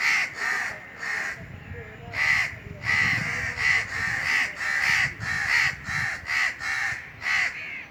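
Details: Rasping caws from Indian crows perched atop a tree in the summer heat, delivered in an uneven series of about a dozen calls, some closely paired, with low murmuring in the background.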